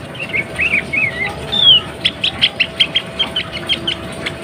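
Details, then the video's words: Female sooty-headed bulbul in breeding condition calling to prompt males to sing: a few short warbled, wavering phrases, one bright descending whistle, then a run of about ten sharp chirps spaced under half a second apart over a steady background hiss. "SUARA KUTILANG BETINA BIRAHI 100 % TERBUKTI BIKIN KUTILANG JANTAN CEPAT BUNYI GACOR"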